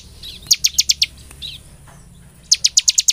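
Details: Bar-winged prinia used as a song lure: two short bursts of five quick, bright, high chirps separated by a quiet gap with a faint soft note.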